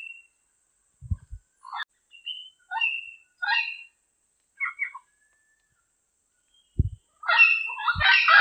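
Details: Diademed amazon in the wild giving scattered brief grating squawks and a short whistle, then a sustained loud burst of harsh, raspy calling at the end, with low thumps in between.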